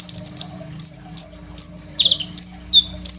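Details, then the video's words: Phone recording of a Crimson sunbird used as a master song for other songbirds. It opens with a fast high trill, followed by quick, piercing, downslurred notes about every third of a second over a soft hum. "KOLIBRI NINJA GACOR FULL ISIAN SUPER MEWAH, 100% COCOK BUAT MASTERAN KONIN BAHAN"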